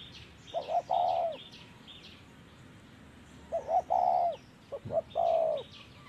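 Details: Spotted dove during trapping with a decoy, three cooing phrases, each a brief note or two then a long low coo, with chattering of other small birds in the background.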